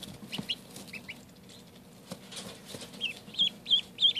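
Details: Newly acquired Indian Runner ducklings that have settled in and started eating, giving high, thin peeps in short bursts, scattered early then a quicker run of clearer repeated peeps at the end, with soft rustling and low background hum.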